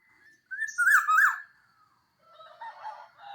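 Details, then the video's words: Local Javanese black-naped oriole singing clear, melodious song, used as a lure to prompt silent birds to sing: one fluty, wavering whistled phrase with a harsh edge, followed by a softer, scratchy chatter. "Kepodang Lokal Jawa Gacor Suara Jernih Syahdu, Pancingan Burung Macet"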